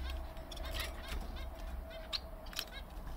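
A Bengalese finch sings a quick run of harsh, buzzy notes and scratchy chirps. A steady hum and a low rumble run underneath.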